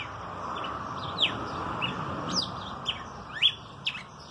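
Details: Red-cowled cardinal singing: sharp, clear whistled notes, often sliding downward, given singly about every half second to second, over a steady low background hum.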